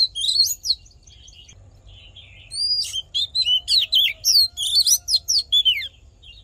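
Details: Oriental magpie-robin singing a fighting song meant to fire up males during voice training: a quick whistled burst, a pause with soft warbling, then a long, busy string of loud, varied whistles and trills.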